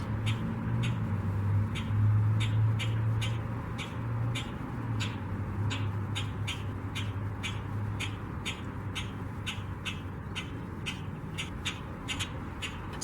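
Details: Common Grackle in Waterloo Region, Ontario, on 3 March 2024, newly back from migration, giving short, harsh chack contact notes about twice a second, answered by another bird, over a steady low rumble of wind or traffic.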